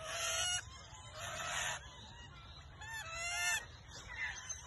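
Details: Rainbow lorikeets in Brisbane, Australia, seeking a nest hollow in a tree and fighting two other groups over territory, give harsh, grating screeches in loud bursts of about a second, interspersed with shorter squeaky notes and chatter.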